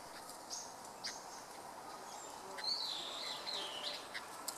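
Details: Wild red-billed leiothrix in a park, recorded on the afternoon of 25 November 2012 with a Panasonic LUMIX FZ200: faint high chips, then a wavering, whistled call sliding up and down around three to five seconds, over steady background hiss.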